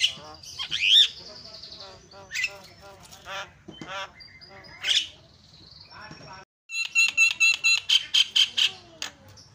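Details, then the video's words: Jalak kebo, the Javan myna, singing an 'isian' fill-in song: scratchy mixed chatter and squawks, a short pause, then a quick series of bright, evenly spaced whistled notes. "JALAK KEBO SUARA ISIIAN"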